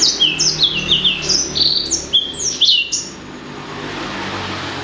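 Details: Blacksang, bred from a blackthroat crossed with a sanger, delivering rapid high chirping phrases of falling and rising whistles for about three seconds, then fading to quiet background hiss.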